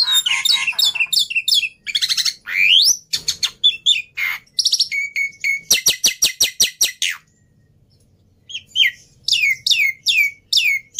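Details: Vigorous black-winged myna song, meant to coax silent mynas into singing: varied rising whistled slurs mixed with harsh notes, a fast volley of sharp clicks, a brief pause, then more upward-sweeping whistles.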